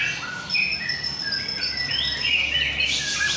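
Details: White-rumped shama (murai batu) at a bird singing contest in North Jakarta, Indonesia: clear, high whistled phrases, some long and level and others sliding upward, run together into a rich, busy song with faint hum beneath.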